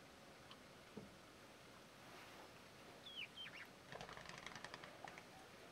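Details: Two short, sharp whistled notes from a male Red-rumped Parrot (Psephotus haematonotus) at Patchewollock Conservation Reserve, Victoria, Australia, slurring up and down, then a burst of fluttering wingbeats against a faint breezy background.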